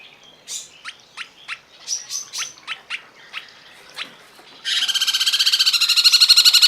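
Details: Cungkok masteran recording for tutoring cage birds: a string of separate sharp, rising chirps about every third of a second, then a sudden continuous, loud, fast buzzy trill that keeps building in volume.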